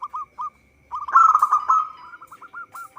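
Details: Local zebra dove singing for use as a trapping lure: two short coos, then a loud rapid staccato burst trailing into a run of quick hooked notes.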